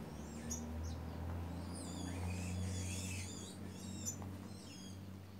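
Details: White woodpeckers in a group, several birds giving overlapping nasal, arched calls repeated rapidly, about three per second, with a steady low hum underneath.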